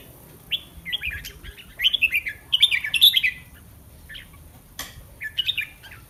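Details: Caged red-whiskered bulbul practising before competition. A tight sequence of bright slurred whistles builds to a loud warbled phrase, drops away, then resumes with a shorter phrase near the end; occasional clicks.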